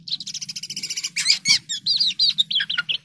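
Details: A common iora singing actively gives a fast, high trill of rapid repeated notes, then a run of varied whistled and chattering phrases, over a low steady hum.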